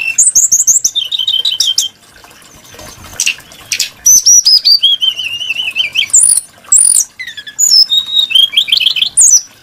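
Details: A Brown-chested jungle flycatcher sings long, varied phrases of rapid high trills and repeated wavering whistles at several pitches, with clicks between them. The voice is varied and melodious.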